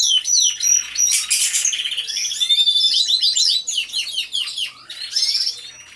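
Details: Canaries singing together in an aviary: a clear sustained whistle, then rapid chains of sweeping chirps and rolling trills, fading slightly near the end.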